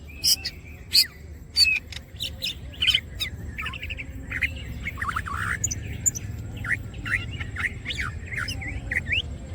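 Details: Greater green leafbird (cucak ijo) singing with wings open: sharp loud clicks and high chips at first, then a run of varied slurred whistles and warbled phrases, against a low humming background.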